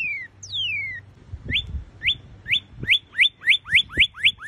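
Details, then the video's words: Northern cardinal (Cardinalis cardinalis) singing two long, clear whistles sliding downward, followed by a steady accelerating-sounding series of short upward-swept whistled notes, about four each second. "O cardeal Norte Americano. Conheça o canto desse cardeal estrangeiro."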